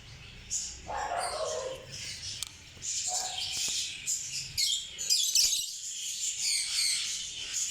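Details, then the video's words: African lovebirds giving a busy stream of high, squeaky chirps and chattering twitters, overlapping and nearly continuous, with a few lower nasal notes mixed in. "African love birds"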